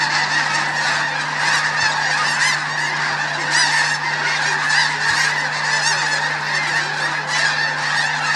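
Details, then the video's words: Snow geese taking off en masse one morning at Bosque del Apache, loud overlapping yelping honks with sharper individual calls standing out above a continuous roar of the crowd. "Snow goose launch at Bosque del Apache"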